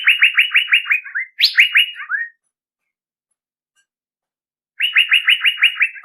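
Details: Male Asian fairy-bluebird giving a lure call: two quick bursts of seven or so rapid, clipped notes at mid pitch, each run ending in a lower slurred note, then a pause and another rapid burst. No other sounds.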